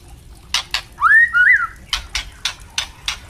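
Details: White-rumped shama song for training captive birds, from a spotted young bird and an adult in 'ngeplong' style: one pair of arched whistles amid regular dry clicks repeated about three times a second.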